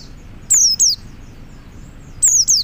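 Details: Male Oriental white-eye calling other white-eyes with two quick pairs of high, sharply falling whistles about a second and a half apart; low background noise only.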